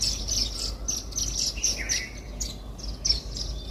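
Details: While feeding on millet at a house-garden feeder, Indian silverbills utter rapid, thin, high-pitched chirps, often in short clusters, with one lower slurred note in the middle and a faint background hum.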